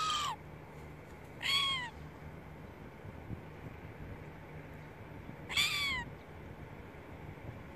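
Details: Silver gull calling: three loud, harsh downslurred cries, each dropping steeply in pitch, heard near the start, at about one and a half seconds and again near five and a half seconds, over a steady low background rumble.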